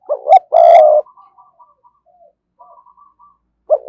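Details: Spotted dove of the Cườm Sa type giving cooing meant to stir up and lure wild doves: two loud, low, throaty coos at the start, then soft faint coo fragments, and a final coo at the end.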